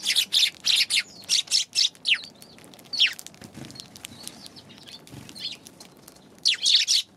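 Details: Eurasian tree sparrows recorded on January 11, giving a rapid run of loud, bright chirps for two seconds, then sparser single chirps, then another dense cluster near the end.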